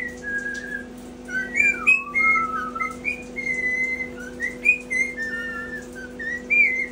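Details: Pet caique indoors practising a learned phrase as it tries to talk; a run of clear whistled notes that slide up and down, one long falling glide, repeated in quick succession over a steady background hum.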